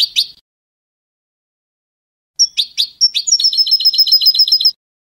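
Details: A European goldfinch named Rocky sings in Spanish salon style: bright tinkling notes, then a rapid run of high twittering trills about four times a second, with brief pauses between phrases.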